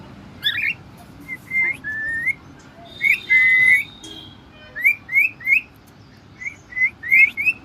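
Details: Pet cockatiel at home giving a busy run of short rising and wavering whistles interspersed with brief harsh chirps, quickening into clustered notes toward the end.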